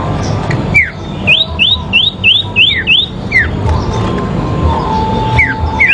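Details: Sooty-headed bulbul dueling in a fight, its song used for therapy: six rapid upslurred whistles, then a falling note, then scattered sharp descending whistles over a steady low noise floor.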